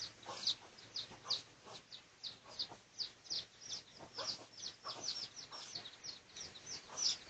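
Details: Research recording, dated 18 August 2023, of red junglefowl in the dark red pradu colour variety: repeated high, piercing downslurred peeps in a busy, continuous patter, with a faint low hum beneath.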